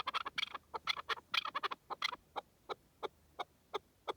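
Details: Wild partridge calling in the wilderness: a burst of harsh, overlapping clucking notes, then single sharp notes repeated roughly every third of a second, spaced more widely toward the end.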